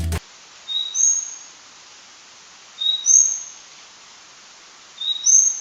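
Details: A migratory Large-billed leaf warbler wintering in Sri Lanka calls with a high, thin two-part whistle, a lower note then a higher one, repeated about every two seconds over faint background hiss.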